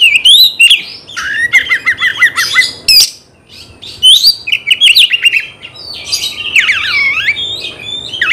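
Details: A fast-singing Oriental magpie-robin, used to provoke another's fighting response, gives varied whistled phrases, quick stuttering note runs, sweeping slurs, and rasping bursts, with a short silent gap near the middle.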